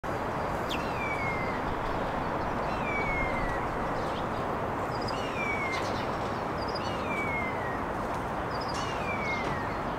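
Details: Starlings on a date, serenading beneath a bench: thin whistled notes sliding downward, repeated roughly every two seconds, with faint high clicks, over steady loud background rumble like traffic.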